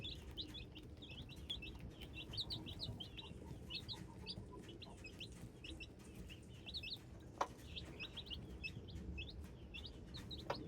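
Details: Hybrid chickens, young chicks, keep up a dense chorus of thin high peeps, short and upslurred, one after another, with a low rumbling hum and a sharp tap near the end.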